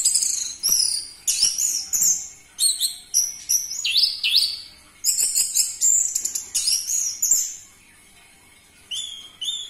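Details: Orange-headed thrush singing loudly in a lure recording meant to set off captive birds: a fast, continuous run of varied very high whistles, chirps and twittering notes, then a short pause and a final phrase.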